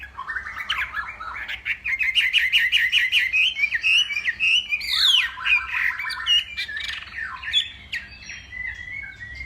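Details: Morning contest song of a Hwamei from Northwest Vietnam: a fast rattling series of repeated notes builds into loud sweeping whistles, followed by mixed warbles and chattering phrases.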